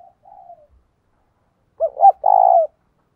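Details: Decoy spotted dove calling to rouse wild males, a 'giọng thổ' voice in 'gáy gọi 1 hậu' style: soft wavering low coos, a pause, then a loud two-part hooting phrase ending in one long drawn coo.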